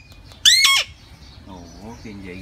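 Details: Indian ringneck parakeet, a talking pet parrot, giving one loud harsh high squawk followed by softer, lower speech-like warbling sounds.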